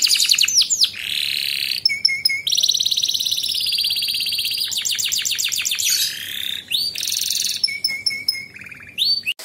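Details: Training song of a canary for young birds, in besetan and ngepik styles. A long varied sequence of sustained buzzy rolls, rapid clicking trills, and short flat whistled notes, changing tour every second or two.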